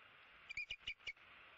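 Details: Bald eagle eaglet, 75 days old, at its nest in Southwest Florida on March 16, 2017: four short, high chirped notes in quick succession over a steady background hiss.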